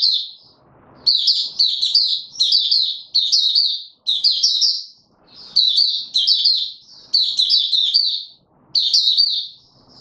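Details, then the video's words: Caged white-eye in training, delivering bursts of fast, high-pitched chattering notes, each burst lasting about a second, separated by short silent gaps. "Mata Puteh - Raja V2 Pushing him on form buka sing"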